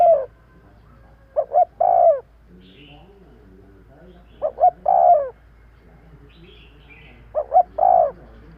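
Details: Spotted dove calling for use as a bird lure: three evenly spaced phrases roughly every three seconds, each two brief staccato notes and a longer falling coo, with soft low hum between.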